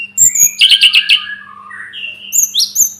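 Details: Tledekan gunung, the Sunda robin, in masteran song: a brief whistle, a rapid stuttering series of warbled notes, a long slurred fall, then high thin whistles near the end. A soft steady hum lies beneath.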